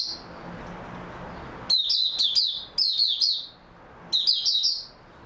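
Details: High, fast twittering song of an oriental white-eye (mata puteh), recorded 3 March 2022. Three clustered bursts of quick slurred chirps follow an opening quiet stretch, with a soft low hum underneath.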